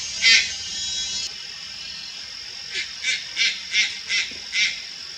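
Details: Juvenile Malayan night heron recorded at Lugu, Taiwan, on 4 August 2022: one loud harsh rasping burst, then six shorter hoarse rasps about every third of a second, over a steady high insect drone.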